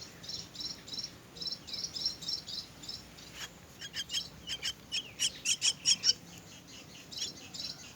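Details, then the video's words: Myna chicks begging during feeding: soft high raspy calls repeated steadily, then louder broken bursts of sharp harsh notes building over a few seconds before fading. "Feeding myna's chicks"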